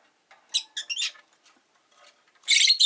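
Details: ['Five rosy-faced lovebirds in a cage by a window: a burst of rapid, scratchy chatter, a quieter pause, then a loud, buzzy, rasping outburst at the end.']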